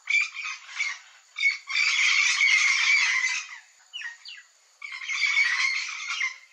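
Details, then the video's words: Flock of yellow-faced parrots giving harsh, raspy squawking bursts in dense overlapping chatter, broken by short pauses and a few thin scratchy notes between outbursts. "PAPAGAIO-GALEGO canto do bando"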